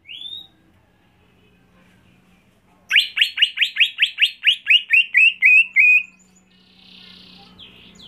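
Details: A home-kept greater green leafbird, trained for singing contests, delivers a loud burst of about twelve rapid upswept whistled notes in roughly three seconds. The notes flatten toward the end, with a low steady hum beneath.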